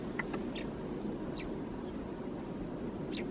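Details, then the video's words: Eurasian tree sparrow perched in a thicket in Helsinki, Finland, in January 2022, giving a few short, thin, high chirps spaced irregularly over a steady low rumble of background noise. "Tree Sparrow perching in the thicket, vocalizing"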